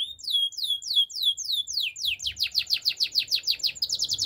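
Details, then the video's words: Gloster canary song for teaching canaries to sing: a run of falling whistled notes about five per second, then a denser, higher chattering trill of repeated bright notes. "Gloster canary singing"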